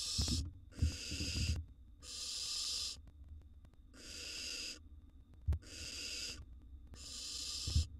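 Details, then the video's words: Barn owl nestling eating a gerbil, giving long harsh hissing screeches, broadband rasping bursts of about a second repeated with short gaps, with low thumps and rustling between calls. "now this is how a barn owl nestlings eats a gerbil"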